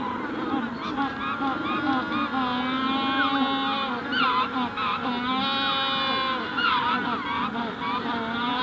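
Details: Magellanic penguins, adults at hatching stage, calling near and far across the Punta Tombo colony; wavering harmonic brays with swooping inflections overlap continuously, a few louder nearby voices standing out over the background chorus.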